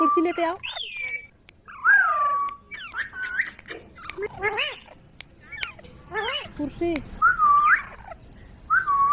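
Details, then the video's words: A pet green ringneck (rose-ringed parakeet) talks in short, buzzy, speech-like phrases broken by clear rising-then-falling whistles, coming in quick bursts with brief pauses between. "Parrot Talking |Ringneck parrot sound"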